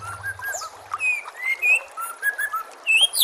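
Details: Oriental magpie-robin tutor song for training caged birds, set with nature sounds and trickling water: varied clear whistles, some rising, mixed with quick high chirps, a soft low hum at the start.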